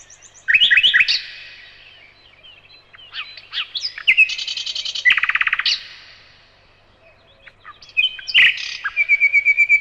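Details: Varied nightingale song: chirped phrases, a rapid buzzy rattle, a pause, then loud sharp notes and a run of repeated chirps.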